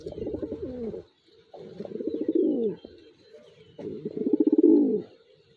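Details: Racing pigeon cooing indoors: three rolling, throaty coo bouts about a second long each, pulsing and rising to a louder burst at the end, separated by brief near-silent gaps.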